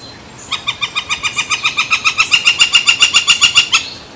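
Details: On San Francisco Bay, July 18, 2023, with a barge crossing, a woodpecker gives a fast, even series of about twenty harsh, ringing notes that grows louder, then stops abruptly. Quiet background before and after.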